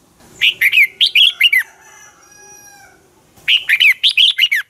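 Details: Dueling song of a red-whiskered bulbul serving as a lure bird: a burst of loud slurred whistles, a pause filled with faint steady tones, then a second similar rapid phrase.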